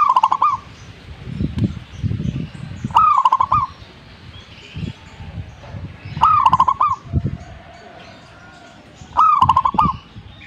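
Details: Zebra dove singing lively: four short phrases about three seconds apart, each a rising note that breaks into a fast rolling, stuttering coo, with sharp clicks over the phrases and low rumbling noise between them.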